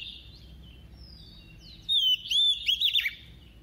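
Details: Decoy female White-rumped shama singing a double-voiced song meant to stir males: soft drawn-out whistles lead into a loud, rapid burst of looping, warbled notes lasting about a second.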